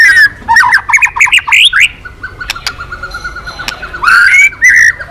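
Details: Song of a white-rumped shama, a bird said to have turned from silent to eager singing again: a quick burst of chattering, buzzy notes, then a long level whistle and clear slurred phrases.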